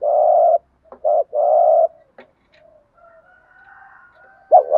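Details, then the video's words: Spotted dove giving a thổ pha gù thúc urging coo used to provoke wild doves (kích bổi): two long, steady, low hollow coos with a short clipped note between, then a quiet pause and a brief final note. "thúc gù/ cu gáy thổ pha gù thúc/ tiếng chim cu gáy kích bổi mới"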